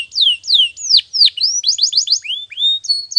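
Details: Canary song used for training: loud descending whistled slurs, then a quick series of short rising notes and a few drawn-out level whistles.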